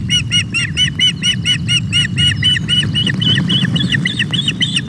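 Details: Hungry osprey chicks at a Scottish nest webcam on 24 May while being fed: steady run of high, clipped whistled chirps about twice a second, over a loud low rumble of wind.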